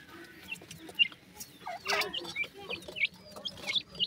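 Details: Black francolin chicks calling their mother: thin, high peeping chirps, some slurred downward and some upturned, given in scattered bursts about every half second over a faint low hum.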